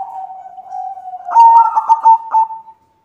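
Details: White zebra dove hen calling for a male, giving a soft low drawn-out coo that swells into a louder run of quick pulsed, stuttering notes before fading out.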